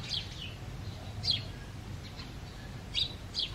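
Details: House sparrow chirping in breeding season: single sharp, high chirps spaced irregularly, roughly every second or so, with faint softer chirps between them and a quiet low hum behind.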